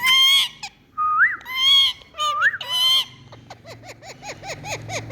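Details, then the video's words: Indian parrot said to be saying "Mithu". Several harsh, nasal, speech-like syllables and rising whistled slides come first. They are followed by a rapid run of short, repeated squeaky notes. "Indian Parrot Saying Mithu Mithuu"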